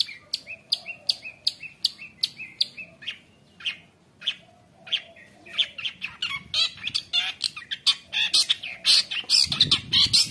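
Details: Energetic long-tailed shrike (cendet) song, filled with mimicked phrases and meant as a tutor for juvenile shrikes; starts with evenly spaced high chips, then accelerates into a dense, scratchy jumble of chatters and whistles.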